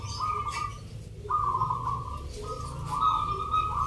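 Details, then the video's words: Contest zebra doves sing during a local dove rhythm competition in Yogyakarta, Indonesia. Three long, vibrating coo trills rise in pitch and overlap, with a short silence after the first. Low hum and crowd noise run throughout. "Pertarungan sengit Perkutut lokal irama 😱Suaranya ngerih"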